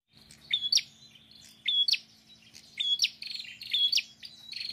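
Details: Prinia, described as singing vigorously and moving restlessly, gives four repeated phrases, each a short high whistle snapping upward into a buzzy, rattling trill. A faint steady low hum runs underneath.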